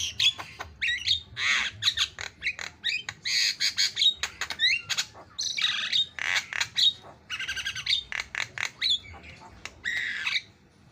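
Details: Javan myna in excited, fast song, an unbroken medley of raspy squawks, clicks and short piercing whistles, rushed together in uneven bursts throughout.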